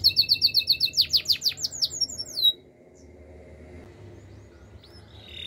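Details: Canary in the wild giving a quick series of rising and falling whistled notes for about two and a half seconds, then near silence with only a faint final note.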